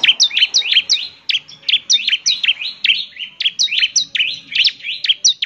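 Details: Energetic bar-winged prinia song used to prompt other prinias to answer: a steady stream of high, clipped notes, each dropping sharply then flicking back up, delivered quickly and evenly.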